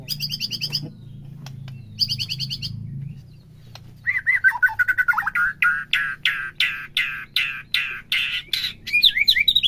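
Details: Stimulation song of white-rumped shama for captive birds: two short harmonic bursts, then a fast, rhythmic series of sharp repeated notes roughly three per second, ending in twisting whistles.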